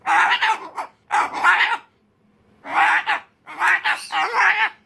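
An umbrella cockatoo in a tantrum, giving four harsh, raspy, speech-like bursts of screeching, each under a second long, separated by brief pauses.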